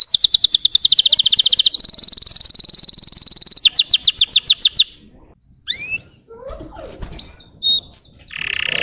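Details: Russian canary provocation song: about five seconds of rapid high trills and a buzzing roll, followed by a pause with a few scattered faint chirps and a short low buzz.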